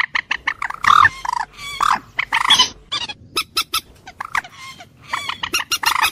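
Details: Common moorhen, the jol murgi or water hen, mixing loud, strident squawks with quicker, sharp clucks in irregular groups.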